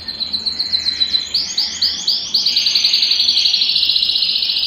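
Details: Belgian canary song meant to get a cold canary singing: quick high rising notes repeated about four per second, breaking into a dense, fast rolling trill that continues steadily to the end.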